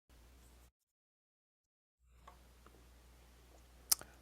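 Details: Faint background hiss broken by a brief silence, then a few soft ticks and one sharp click, with no animal calling.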